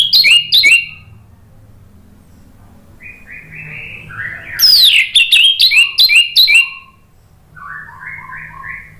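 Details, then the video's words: Orange-headed thrush song in the ngeplong style, meant to trigger a response from a non-singing bird: sharp doubled whistles, softer mid-pitched warbles, a loud rapid flurry of high notes, then quieter repeated falling phrases. "PANCINGAN ANIS MERAH NGEPLONG GACOR memancing BUNYI jadi NYAUT"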